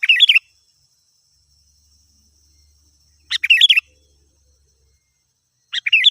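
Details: Prolific sooty-headed bulbul singing as a lure for wild birds; brief warbled, chattering bursts repeated about every three seconds against near silence.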